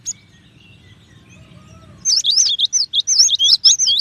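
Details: After two quiet seconds with faint background whistles, a cinereous tit bursts into a fast series of loud paired whistled notes, high dropping to lower.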